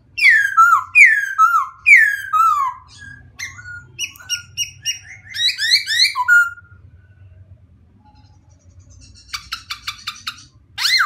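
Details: White-crested laughingthrush singing: loud clear whistled phrases, first a run of three downslurred notes each about a second apart, then quicker chattering notes, a quiet pause, and bursts of sharp ticking clicks near the end.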